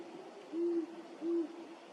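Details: Great horned owl, a male followed in his known territory and seen courting a female, gives two deep, steady hoots about three-quarters of a second apart, soft and low-pitched, over faint background hiss.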